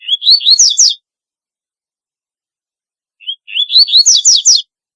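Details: A double-collared seedeater delivers its distinctive song twice, about three seconds apart. Each phrase opens with a short note and runs into rapid, high, rising whistled slurs. There is no background noise.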